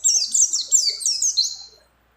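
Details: Female mountain white-eye in breeding condition calling a male, mixed with other birds' phrases: a short, loud string of very high, slurred twitters lasting under two seconds, then silence.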